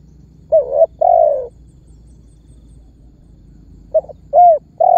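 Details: Spotted dove coo phrases used as a lure to get other birds calling. A wavering double note and a long coo, a pause, then another double note, a short coo and the start of a long coo. Steady soft background hiss.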